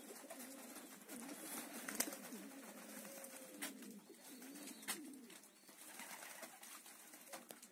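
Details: Low, murmuring coos from Meulemans homing pigeons repeat through a noisy background with occasional sharp taps.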